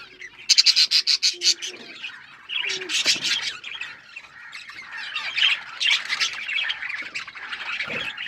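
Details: Pet budgerigars chirping: a dense, scratchy chatter of high chirps and squawks, with a quick stuttering burst early on, then continuous overlapping twittering from several birds.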